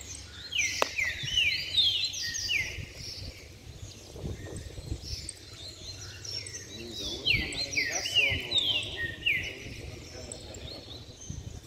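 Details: Saffron finches kept in cages sing in a group: bright descending whistles and metallic high ticks repeated in quick bursts, with a man's voice murmuring briefly midway and a constant low hum.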